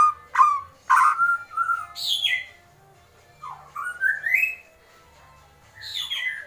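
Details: Agitated White-rumped shama kretekan, sparse here: a few sharp whistled notes and harsh bursts, a long quiet gap, then a rising slurred whistle and a final rasp.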